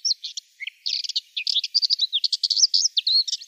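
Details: Subalpine warbler song: a continuous, fast, dry twittering warble of scratchy high notes and short rising and falling chips, delivered with hardly a break.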